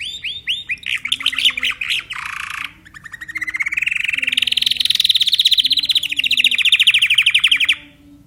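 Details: Timbrado canary singing: opening series of rapid rising notes, a brief harsh burst, then a long sustained rolling trill of fast pulsed notes holding steady before stopping abruptly; faint background music and low voices.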